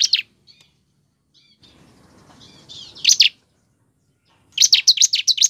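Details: Bar-winged prinia singing, used as a lure to get caged birds singing. A scattering of thin, high notes and a sharp doubled chip lead into a fast, loud, rattling series of piercing chips near the end.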